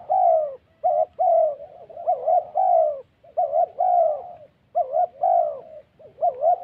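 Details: Spotted dove in the wild Central Highlands forest of Vietnam, calling in the thổ style used with a decoy in bird trapping. Loud, mellow, low coos come in quick bursts: short hooting notes and longer wavering, slightly falling notes, with brief gaps between phrases.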